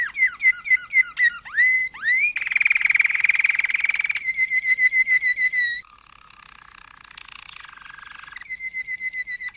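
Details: Malinois canary song beginning with dipping whistled slurs, moving into a dense rolling buzz, a long steady pulsed tour, a soft low murmuring roll, and a closing even trill.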